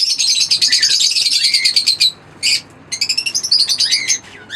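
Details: Caged green Fischer's lovebird pair chirping: a long run of fast, high, buzzy twitters, then a short pause and more squeaky chattering phrases with some downward-sliding notes.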